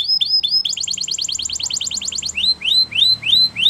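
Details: Spanish Timbrado canary song: a few rising notes, a quick pulsing trill, then slow, evenly repeated upslurred whistles, with faint background hum.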